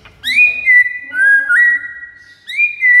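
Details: White-rumped shama lure song for rivals: drawn-out, pure whistles that rise quickly and are then sustained, with a dip and a step up in pitch between them.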